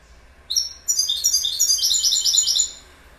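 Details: Goldfinch song: two short high notes, then a dense burst of tinkling, chattering twitters at a quick pace that fades out near the end.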